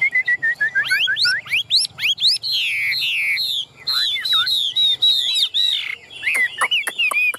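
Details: Caged Chinese hwamei, a male offered for sale, singing a loud, fast, varied song of high whistled slurs, rising sweeps and rippling warbles that switches phrases every second or so.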